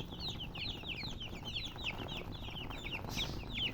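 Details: Young chicks giving quick, high, downward-sliding cheeps, roughly three or four a second, against a low rumbling background.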